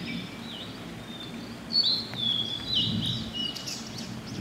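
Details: A blue-and-white flycatcher singing from a treetop in a waterside forest after rain in spring: a clear, high, whistled phrase of slurred rising and falling notes over a steady low rumble of wind or running water.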